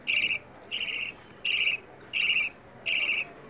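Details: Budgerigar chicks begging for food with raspy, buzzy chirring bursts, each about a third of a second, repeated almost twice a second over faint hiss; the keeper plays this sound to stimulate adult budgies to breed.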